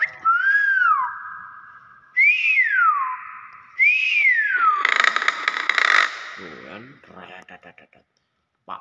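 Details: Nias hill myna producing three arched whistles, each climbing and then sliding down, about two seconds apart, ending in a rough, crackling burst and scraping noises.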